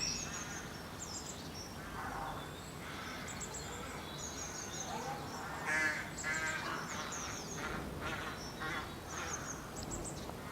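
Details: Rooks at their nests with young in late March, giving a steady chorus of hoarse, harmonic caws that overlap irregularly, with thin high whistles from small birds above.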